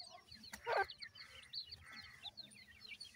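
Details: Captive Indian pheasant chicks (teetar) giving continuous high-pitched peeping, short thin chirps overlapping, with a brief loud rustling bump near the start.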